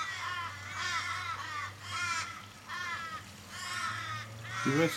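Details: Australian ravens, fifteen or more, mourning a raven dying in a Kellyville street, Sydney, 1 July 2012. Drawn-out wailing caws come in waves about once a second over a low hum. A person's voice rises at the close.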